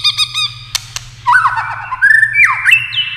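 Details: White-rumped shama in competition singing: a run of harsh, nasal squawk notes, then a varied burst of looping, warbled whistles that rise and fall, ending on a higher clear whistle.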